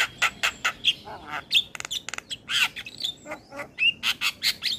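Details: Asian pied starling singing in a master track for training starlings: rapid scratchy squawks and short whistles, with a burst of fast clicking rattles near the middle.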